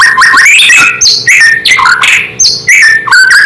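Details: Loud white-rumped shama song aimed at provoking rival shamas: fast, varied whistled phrases with abrupt jumps in pitch, upslurs and bright high notes, delivered in quick bursts.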